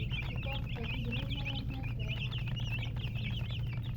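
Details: Several baby chicks peeping continuously, bright short rising and falling chirps tumbling over one another, a few lower notes mixed in, above a steady low hum.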